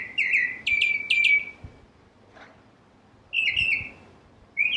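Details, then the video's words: Northern cardinal giving whistled downslurred phrases, a few rapid ones together, then a pause with a faint rustle, then more slurred whistles. "Northern Cardinal Bird Sound, Bird Song, Bird Call Bird Calling Chirps"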